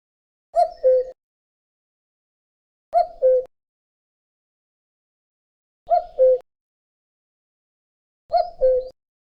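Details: Common cuckoo, the famous call heard in spring: four clear two-note 'cuck-oo' phrases, the second note lower than the first, spaced about three seconds apart, with silence between.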